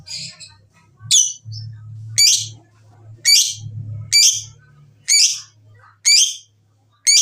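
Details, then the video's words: Lovebird sounds used to prompt lovebirds into song: harsh, rasping high squawks, roughly one each second, over a low steady hum. "Pancingan Jitu Lovebird BUNYI dan Ngekek, menjadikan Lovebird Rajin Bunyi"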